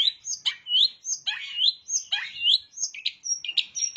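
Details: Long-tailed shrike singing with bar-winged prinia imitations. Varied rising and falling slurred whistles alternate with scratchy downward notes in quick succession, then end in thin high sustained tones and chips.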